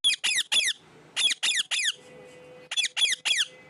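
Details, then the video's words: Pet parrot squawking loudly in groups of three rasping calls separated by brief pauses, with a faint steady hum underneath after a person says "Enough". "my cute parrot talking so much"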